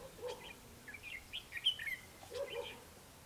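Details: Red-whiskered bulbul trap-fight song from 21 December 2015, with a lure bird drawing a wild one: a rambling run of whistled and warbled notes, with lower soft calls at the start and end.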